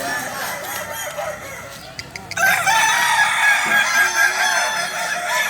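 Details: Kokok balenggek chickens at a Sawahlunto crowing practice final, 16 July 2023; muffled handling noise and voices first, then loud overlapping crows with drawn-out wavering high notes from several roosters.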